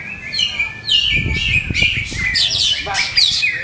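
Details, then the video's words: Greater green leafbird kept in a cage, its setup still being trialled, delivers loud shifting song: sliding whistles, trills and scratchy bursts in quick succession over low background thumps and rumbling. "CUCAK HIJAU"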